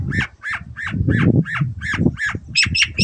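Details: Long-tailed Shrike (cendet) giving loud harsh squawking notes about three per second, each dropping in pitch, over steady low rumbling background noise; said to rouse other birds into song.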